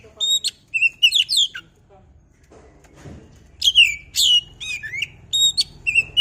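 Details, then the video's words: Oriental magpie-robin (kacer) singing, played to provoke a bird into singing: loud, varied phrases of sharp whistled notes and rapid downslurred chirps in bursts, with a quiet pause midway and faint low background noise. "pancingan burung Kacer biar emosi mau bunyi"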